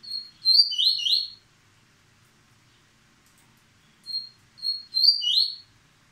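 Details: A yellow-bellied seedeater sings in the paterno style while moulting, still showing speed: two quick, high song phrases. Each opens with thin notes and runs into a fast, sweet warbling twitter, with a quiet pause between.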